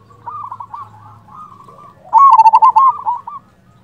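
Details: A local Indonesian zebra dove calls vigorously as a lure to coax other doves into answering. Soft, quick coos come first, then a loud rattling sequence of rapid staccato coos lasting over a second.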